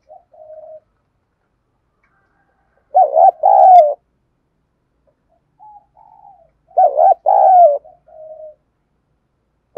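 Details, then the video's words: Spotted dove giving Đồng Pha style cooing to spur fights and lure wild doves: two loud two-part phrases about four seconds apart, each a wobbling coo then a longer drawn note, with softer short coos between. "Tiếng cu gáy giọng Đồng Pha thúc đấu rút bổi nhanh"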